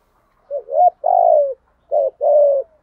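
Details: Spotted dove giving a 'thúc gù' stimulating coo in the 'thổ' style, used to train newly caught doves: two low, hollow paired phrases, each a short note followed by a longer, gently falling coo.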